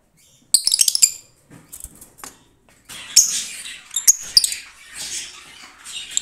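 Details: Green lovebirds kept for breeding: sharp clicking and shrill squeaks in quick bursts, a short pause with faint scratchy notes, then a longer run of dense, high, rasping chatter.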